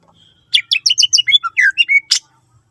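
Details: Greater green leafbird delivering a quick run of about a dozen bright whistled and chirped notes, some rising and some falling, used to get other leafbirds singing, ending in a harsh burst.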